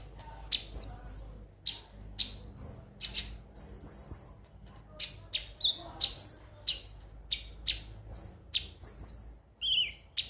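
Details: Crimson sunbird, locally konin, performing a stimulation song: bright, high, descending whistles, often paired, with sharp ticking notes between them and a faint hum beneath.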